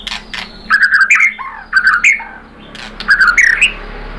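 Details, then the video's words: White-rumped shama, possibly a female calling a male, used as a lure to make another bird sing: loud slurred whistled phrases around mid pitch, in three bursts separated by short pauses, with sharp high clicks. "KICAUAN MURAI BATU merangsang BUNYI jadi EMOSI NYAUT GACOR NGEPLONG BONGKAR ISIAN ¦ PANCINGAN MURAI"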